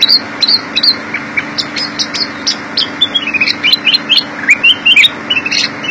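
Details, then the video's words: Black-crested Bulbul (kutilang emas) singing energetically in gacor isian style, a continuous stream of quick chirps and short slurred whistles, some descending in little runs, delivered almost without pause over a low steady hum. "Kutilang emas gacor isian"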